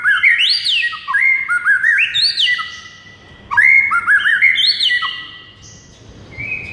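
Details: White-rumped shama song played in the morning as a tutor recording to rouse a silent bird: rich, varied whistled phrases sweeping up and down, delivered in two loud bursts separated by a short pause, then fading quieter notes.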